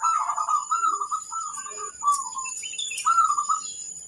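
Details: Local zebra dove performing song meant to prompt other doves to answer: short rolling cooing phrases in quick succession, with a steady high insect-like whine and scattered bird chirps behind.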